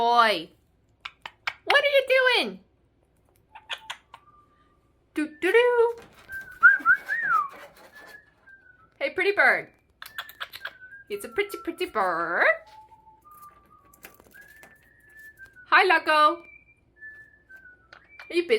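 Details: A pet Monk (Quaker) parakeet delays bedtime, mixing harsh, speech-like chatter with clear whistled phrases, singing and mimicked laughter.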